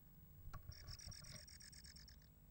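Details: Great tit chicks being fed mealworms by their parents beg with a rapid run of about a dozen high, thin, buzzy chirps lasting under two seconds, over low rubbing and scraping noise.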